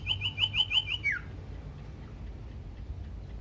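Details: Common iora song used to provoke other ioras to sing: five or six quick repeated high whistled notes ending in a falling slur, then quiet.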